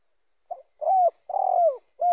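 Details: Spotted dove, its call used as a lure for other doves of its kind: a faint short note, a sustained smooth coo, a long, slightly rattling coo sagging downward, then the start of a final coo cut off at the end.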